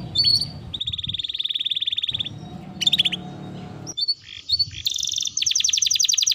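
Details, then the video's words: Actively singing canary, played as a lure to prompt canaries to sing: bursts of fast, even, high trills broken by short pauses and scattered sharp notes, with low background noise. "Pancingan Suara Burung Kenari Gacor || Ampuh Rangsang Kenari Cepat Bunyi"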